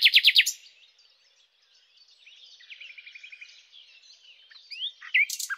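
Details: Common nightingale (Luscinia megarhynchos) song: a brief loud burst of rapid chopped notes, then near silence, a faint run of quick repeated notes and scattered twittering, ending with sharp chirps.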